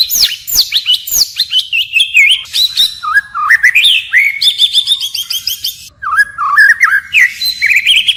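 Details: Continuous varied singing from a white-rumped shama in forest voice: high bright whistles, a rapid chattering trill section, then lower fluting slurred phrases, the bird constantly changing its notes.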